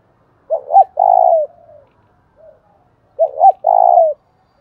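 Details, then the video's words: Lure call of a spotted dove for stimulating another dove: two clear phrases, each a quick double hoot followed by a long level coo sliding down at the end, with a faint trailing murmur between. "tiếng cu gáy thúc bổi"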